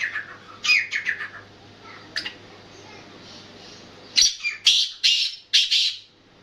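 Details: Kala teetar, the black francolin, giving harsh grating call notes in clusters, with a short phrase early on, then a louder burst of four or five rasping notes after a quiet gap.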